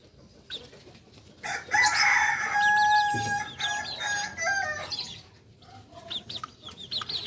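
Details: Solok's native Kukuak Balenggek, a singing chicken prized for its stepped, tiered crowing heard especially at dawn. A loud, rich crow with stacked harmonics swells after a quiet start and breaks into stepped segments, then fades to high chirping of other birds.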